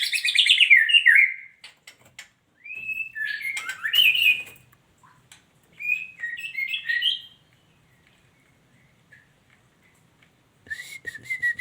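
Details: Female white-rumped shama: bright warbled whistles, then scattered short phrases separated by silences, ending with a renewed run of whistles.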